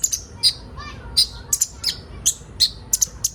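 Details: Ninja sunbird, a recording meant for training young birds to sing quickly: sharp, very high chirps and short twittering notes, some with brief downward slurs, given in an irregular stream of about ten notes.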